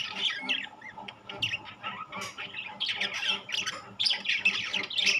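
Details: A gathering of rainbow and classic budgerigars, several birds giving loud scratchy squawks and warbling chirps in a busy, uneven chorus that swells toward the end.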